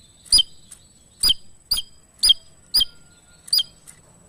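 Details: Energetic Javan tesia whose voice serves as a master recording for other songbirds: crisp, very high downslurred chip notes repeated every half second or so, spaced irregularly, in quiet surroundings.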